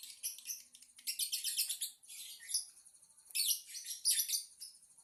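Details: Lovebird chattering in bursts of shrill, scratchy high chirps, with dense twittering phrases separated by short pauses.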